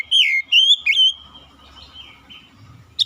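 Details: Magpie-robin song opening with three loud, clear whistled phrases, each rising then falling, followed by softer, drawn-out whistles fading away and a final short bright note at the end.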